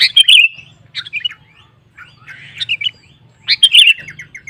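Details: Sooty-headed bulbul (kutilang) singing in a lively burst to provoke rival males into song: bright chirpy phrases around the upper-mid range, repeated in three clusters with short gaps, over a faint low hum.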